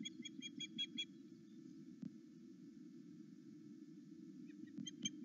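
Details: Osprey excited at its mate coming back, filmed by a nest camera at Loch Arkaig in the morning: bursts of rapid, sharp whistled chirps at the start and end, with a quiet gap and low background rumble between.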